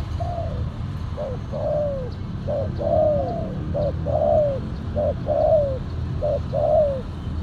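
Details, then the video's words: Silver, black-collared decoy spotted dove cooing repeatedly for about seven seconds: paired short note and long falling coo, around six phrases in a fairly regular rhythm, background low rumble. "PIKAT TEKUKUR SILVER💥 KETEMU BL HITAM, 🔥 POIN KE 2 ,KUK 1 SUARA BESAR"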